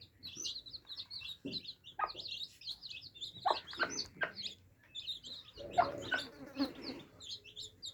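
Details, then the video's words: Drinking chicks keep up a steady shrill peeping, while a cluster of pecking taps and a short rustling scrape break in during the second half. "Adorable Baby Chicks Quenching Thirst Chicks Sound Effects For Kids"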